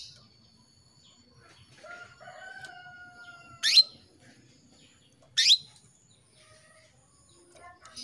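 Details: Female canary calling a male to stir him into song: two sharp upswept chirps, about two seconds apart, over a faint continuous high tone and soft low whistled notes early on.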